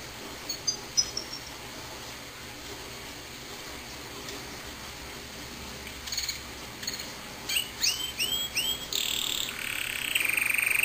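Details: Pet canary singing: after quiet hiss and a few faint high notes, bright whistled rising and trilled phrases burst in over the last few seconds against steady background noise.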